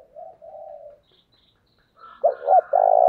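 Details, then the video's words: Spotted dove used as a decoy to call wild doves: a soft, low coo fades out, a pause follows, then a loud phrase of two short notes and a long throbbing coo starts and is cut off. "Chim Cu Mồi Như con này anh em nào cũng muốn sở hữu, bổi rừng nghe ức chế mà về cội"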